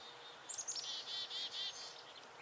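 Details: A black-capped chickadee's alarm call, which makes a nuthatch freeze: a few thin, high chips, then about four hoarse, buzzy dee notes in quick succession, over a faint background hiss.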